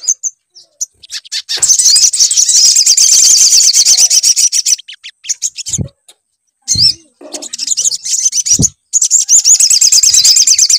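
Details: High, rapid sunbird twittering played as a lure to coax a sunbird into song: sustained shrill chattering trills in long runs, with gaps and a few dull low taps between phrases.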